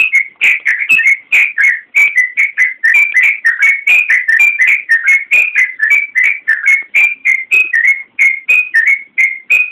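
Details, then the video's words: Lively yellow-vented bulbul song (gacor) for training caged birds (masteran): a continuous, energetic stream of short, clear whistled notes, some rising and some falling, delivered at a quick, slightly uneven pace throughout. "Suara Burung Trucukan Masteran Trucukan Gacor Full Isian Kicau"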